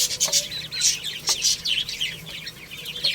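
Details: Little chicks eating and playing, a busy flock of bright, high peeps sweeping up and down in quick succession, with light knocks underneath.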